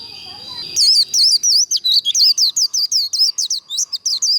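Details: White-eye in líu fighting-song style, used to fire up contest birds: after a faint start, a rapid string of bright, high, down-slurred chirps, about three or four a second, each sharply separated, over a steady thin whine.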